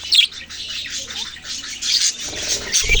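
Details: Young budgerigars give high, squeaky chirps in bursts, followed near the end by low thumping noise.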